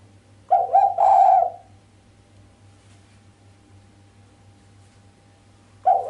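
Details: Female island collared dove, sharp 'mbekur' coo without 'kuk', meant to get the male excited: a deep, hollow purring coo with a stuttering start and a longer trailing note, a long silent gap, then the next coo just starting; steady faint hum.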